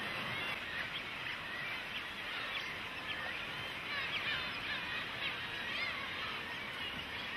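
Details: Nestling cormorants pester their parents for food, producing a constant babble of thin, wavering begging cries from many chicks at once, against a soft background hiss.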